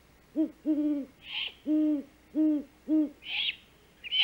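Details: Deep, steady great horned owl hoots in a loose run of seven, from a female back at the nest at dawn, 5:41 am, 3 March 2018, making the food call as the male hunts; brief harsh rasps break in between.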